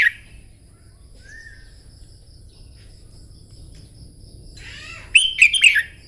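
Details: Red-whiskered bulbul practising morning song for contests: after a quiet stretch with a faint distant whistle and steady thin high tone, one loud slurred warbling phrase bursts out near the end.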